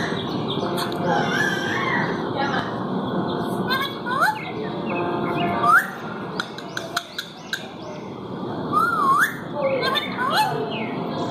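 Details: Ringneck parakeet talking to a mirror: a string of rising whistled swoops and short chirps, with sharp clicks and taps scattered throughout and a steady low room hum beneath.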